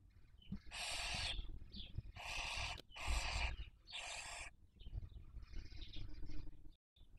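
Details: Barn owl raising young, 2023 breeding season, nest webcam in Spain's Cabañeros National Park: four rapid rasping hisses in quick succession, then a softer, fainter wheezing call, over a continuous low rumble.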